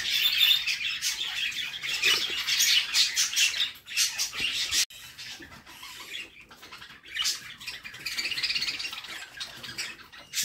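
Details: Budgerigar babies fed by their mother in the nest box give rapid, rasping squawks in dense bouts, a short quieter lull midway, then another harsh buzzy bout.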